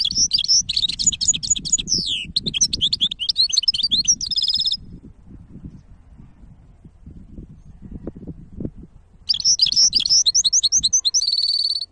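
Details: Two long bursts of hybrid goldfinch song, dense high twittering with rapid chirps, slurs and buzzy trills, separated by about four seconds of low background noise.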